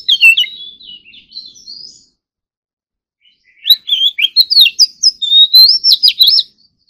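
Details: An Oriental magpie-robin at morning singing practice gives soft wavering whistles, pauses about two seconds, then launches into a loud fast phrase of warbled, sliding whistles and chips.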